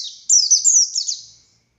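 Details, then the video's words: Short burst of Oriental white-eye song, buxtoni form, in ngalas style: several high, piercing, quickly falling whistled notes run together, then trailing off into silence. "Burung Pleci Buxtoni Gacor Konslet Full Tembakan Ngalas Ngotot Fighter"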